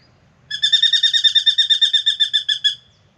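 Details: A spangled drongo sings in the morning at an Australian backyard birdbath where it comes to drink: a quick run of about sixteen nasal, metallic notes, roughly seven per second, over a quiet background.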